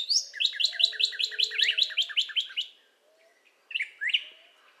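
A Northern Cardinal sings a fast run of about a dozen clear, down-slurred whistles, then pauses and adds two more slurred notes.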